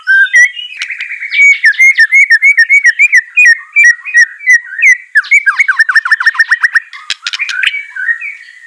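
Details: Rapid whistled phrases from a white-rumped shama, a caged bird being trained to sing, repeated in quick series, with descending trills and short harsh notes.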